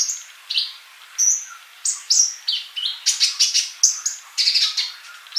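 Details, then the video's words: Sunbird (kolibri), singing actively, recorded as training material: sharp high chirps and short slurred whistles, speeding into a denser twittering burst in the second half. "MASTERAN UNTUK BURUNG COLIBRI GACOR"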